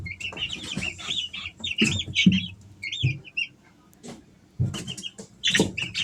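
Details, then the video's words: Three-week-old Easter Egger chicks at home giving rapid strings of high, downslurred peeps, then a quiet pause before more scattered peeps, over dull thumps and shuffling. "Sounds of baby chicks"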